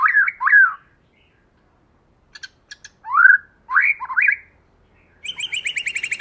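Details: White-rumped shama, female and male, used as a lure bird and singing in the forest-voice style: looping whistled notes, a few soft ticks, swooping rising whistles, then a quick run of repeated bright notes.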